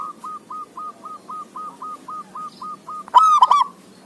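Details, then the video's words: Zebra dove song: a row of soft, even, mid-pitched hooked notes repeated about four times a second, ending in a louder, rich, ringing burst of three notes, over a low hiss. "Suara Perkutut gacoor"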